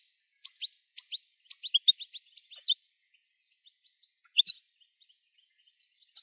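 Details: European goldfinch, recorded to stimulate singing: quick paired chirps and tinkling twitters in a loose string, then a pause and a short burst of sharper notes, otherwise quiet.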